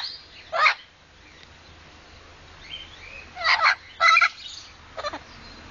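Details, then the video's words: Blue-fronted amazon parrot calling at its owner, taken as telling the owner to go away: several harsh, short squawks and grating bursts separated by pauses, with a low background hum. "Silly parrot"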